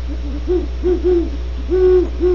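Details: Soft, deep hoots of great horned owls recorded at Starr Ranch, California: short notes in pairs followed by one long hoot and a final clipped one, over a faint steady hum.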